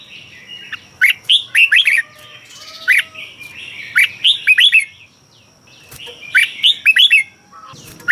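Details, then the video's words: Red-whiskered bulbul song from Thailand, used to excite caged birds: phrases of four to six quick liquid whistled notes, each sweeping down, repeated after short gaps, with a faint steady high tone and soft lower whistles beneath. "เสียงนกกรงหัวจุก สำหรับต่อ หรือ เปิดให้นกคึก เสียงเพราะๆ"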